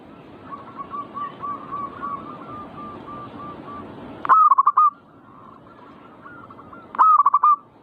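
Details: Manggung singing from zebra doves, meant to rouse birds into song: a run of faint distant stuttered coos for four seconds, then two loud close phrases, each a long coo ending in quick pulsed notes.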